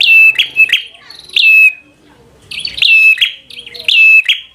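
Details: Bar-winged prinia in 'fighter' song meant to provoke rival birds: quick clusters of piercing whistles and sharp clicks, a quiet spell around two seconds, then renewed energetic bursts.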